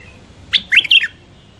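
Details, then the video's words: Hybrid finch giving a brief burst of bright twittering, three quick chirpy phrases in about half a second, high and slightly buzzy over a quiet indoor hum. "تغريد مخاليف وحشيه"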